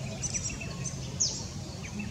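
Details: A Mistletoebird at Hervey Bay, Queensland, gives a few very high, thin, sharp notes, one a quick downward slur, over a steady low rumble of background noise.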